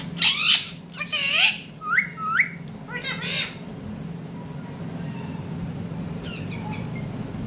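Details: Pet ringneck parrot indoors with a baby parrot; loud harsh squawks and rising screeches in quick bursts over the first three seconds, then quieter room hum with faint distant notes.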